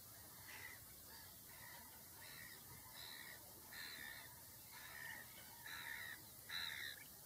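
Barnacle geese give short, harsh yapping barks, roughly one a second, growing louder toward the end over a steady background hiss.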